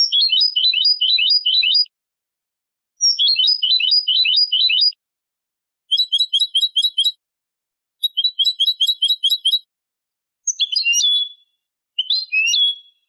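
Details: Song of a European goldfinch hybrid used to teach chicks: dense rattling twitter phrases around two seconds long, then rapid metallic chip series and buzzy slurred notes, pauses between phrases, quiet background.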